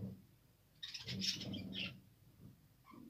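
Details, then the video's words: Budgerigars (Australian parrots), recorded December 2, 2022: a busy second of high, scratchy chirps and twitters over a low rumbling background, then a few faint notes. "Australian parrot beautiful birds"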